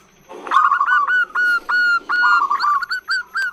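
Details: Female zebra dove (perkutut) giving a long call to lure males: a run of clear, high cooing whistled notes, each with a short rising onset, repeated about three times a second after a soft rustling start.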